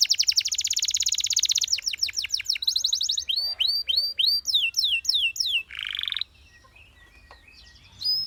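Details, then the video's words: A canary opens with a dense rapid trill, shifts into slower slurred whistles and upswept notes, adds a short harsh burst, then falls mostly quiet near the end with one final note. "The Singing Canary Tempts All The Canaries to Chirp"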